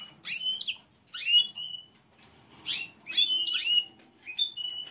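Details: Female goldfinch giving a mating call: loud, high, tinkling twitter bursts of sweeping notes. A pause follows each pair of bursts, ending with a softer short twitter.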